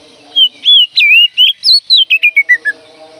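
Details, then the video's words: Oriental magpie-robin, locally called kacer: a bright whistled series of looping notes that step downward in pitch, quickening into short clipped notes over about two and a half seconds, with low hum behind. "panggilan Kacer ini mampu mendobrak emosi dalam hitungan detik"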